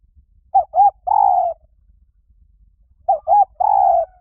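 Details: Spotted dove lure call given twice: two short rounded coos followed by a long, slightly falling coo, the three-part phrase repeated after roughly two seconds of near silence.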